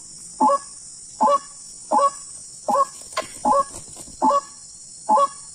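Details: Wild white-breasted waterhen heard during a hunting outing: a series of harsh, nasal croaks, each short and even, about one every 0.8 seconds, with a steady high electronic hiss behind.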